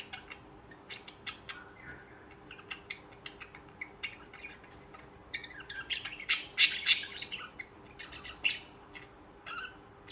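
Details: Budgerigars kept as pets chatter with quick sharp chirps, a few every second. Loud squawky notes cluster near the middle, over a quiet background.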